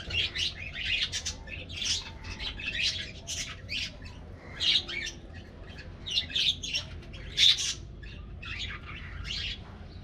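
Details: Colorful budgerigars in an aviary colony getting a morning diet treat: repeated scratchy squawks and chirps, bursts every second or so, with a steady low hum beneath.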